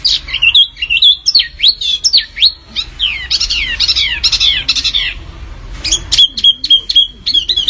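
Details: Canary-labelled small-bird song from a masteran training recording for contest songbirds in a fighting style: rapid high whistled notes, many steep downslurs and upsweeps in dense bursts, then a run of short identical chips near the end.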